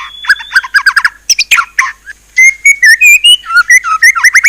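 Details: White-rumped shama song with loud rich whistles and harsh chattering notes, then a run of clear rising and falling whistles around mid pitch, repeated quickly in short phrases.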